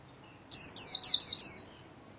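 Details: Cagebird white-eye singing in the 'líu' style while spreading its wings: five quick, high, sweet slurred notes, each sliding downward, delivered in an even run over about a second, with a quiet background.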